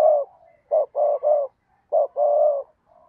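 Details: Spotted dove used as a decoy to lure wild doves, cooing steadily: low, mellow hooted notes in short bursts, a quick pair then a longer drawn coo, separated by brief silent gaps, with no other sounds.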